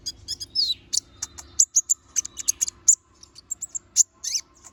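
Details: Little spiderhunter singing energetically with sharp fill-in notes: rapid high chips in quick bursts, a few sliding squeaks, and faint low hum underneath.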